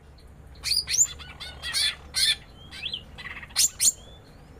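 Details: Female greater green leafbird in a small aviary, calling back and forth with a male while being fed papaya; sharp chirps, whistled upslurs and buzzy squawks in quick clusters with short pauses.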